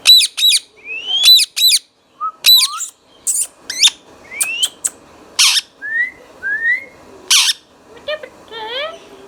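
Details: Pet green Indian ringneck talking parrot calling steadily: stacked harsh squawks in quick pairs, rising whistled slurs and broad screechy bursts, roughly fifty calls a minute, indoors.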